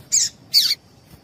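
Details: Two loud, brief, buzzy squeaks from a female double-collared seedeater, spaced under half a second apart, a call meant to excite male birds into singing; quiet surroundings otherwise.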